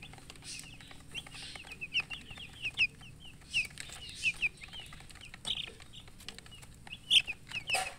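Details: Chicken chicks peeping steadily: many short, high, downward-sliding chirps in quick irregular bursts, with a few louder peeps near the end over faint background hiss.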